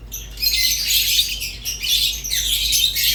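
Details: Lovebirds, rosy-faced and Fischer's, singing together: shrill, raspy twitters packed into a near-continuous stream that rises and falls in loudness over about three seconds.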